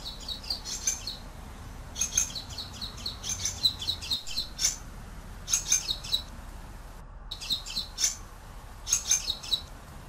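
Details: Common waxbill, a small African finch kept as a pet and introduced elsewhere, singing: short high buzzy phrases around a nasal upper note, each burst a quick cluster of chips, repeated roughly every one to one and a half seconds, faint low hum beneath.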